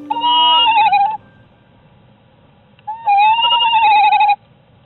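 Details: A female tawny owl, Luna, gives two drawn-out, wavering, nasal calls about two seconds apart at night in late winter, calling desperately for her missing mate while incubating eggs at the nest in sub-zero temperatures.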